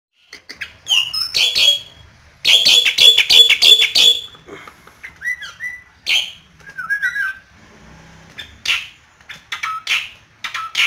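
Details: Asian pied starling kept by a songbird hobbyist in Yogyakarta, singing actively while teased by a hand: harsh, noisy broadband bursts in quick series mixed with short clear whistles and slurred notes, pausing between phrases.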